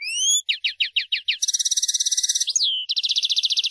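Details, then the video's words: European goldfinch, or mqnin, in full song: a long rising whistled slur, a run of sharp upswept notes, a fast buzzy trill, a falling slur, then another quick rattling trill. "الحسون ملك الطيور ينفجر في عرض للقوة والمهارة الحان تغريد مجنونة"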